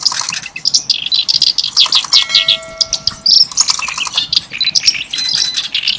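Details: Reed warbler known locally as kerak basi, singing hard in a rich style likened to Java's sikatan londo. A rapid, harsh, churring chatter of high notes is broken by a brief steady tone and a few pauses.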